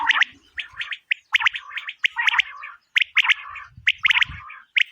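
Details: Female quail call used in quail hunting, busy and dense: rapid bright ticks in twos and threes run over buzzy chattering bursts with few pauses, and faint low thumps come through near the end.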